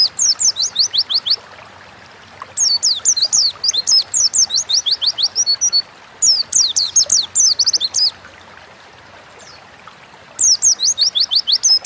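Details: Caged Oriental white-eye from Indonesia singing repeated bursts of high, fast, thin falling whistles, each burst one to two seconds long, broken by short silences.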